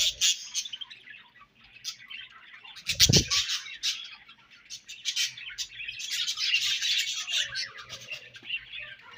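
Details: A group of budgerigars at their favorite food, giving high scratchy chirps and warbling chatter in bursts, broken by a sharp clatter about a third of the way in, then a lively, building twitter.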